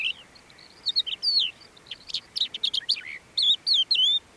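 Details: Crested lark (Galerida cristata) recorded at Bismil, Turkey, 2016, singing a lively, varied run of clear whistles, slurred notes and quick chirps in the high register, with only soft background hiss.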